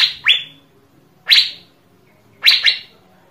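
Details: Asian fairy-bluebird in a recording meant to prompt other birds into song: three loud, sharp upslurred whistles, the first swooping up then holding level, spaced about a second apart, with faint low hum behind.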